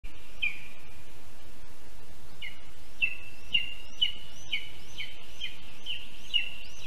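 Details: Lesser spotted eagle at its nest in a spruce in Zemgale, Latvia, on 30 June 2022 around 10:15 a.m., during prey deliveries of a mouse and a frog. Short, high, down-slurred yelping notes repeat about every half second over steady background hiss.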